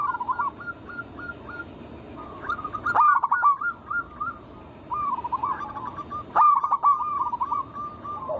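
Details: Lure recording of local wild zebra doves meant to stir other doves to sing. Short evenly spaced coos lead into rolling, stuttering cooing phrases that recur every few seconds, with brief clicking bursts.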